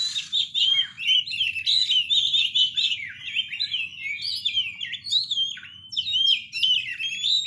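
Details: Oriental magpie-robin sings a loud, continuous, varied stream of high whistles, trills and down-slurred chirps, packed closely together for the whole stretch over a soft low background hum.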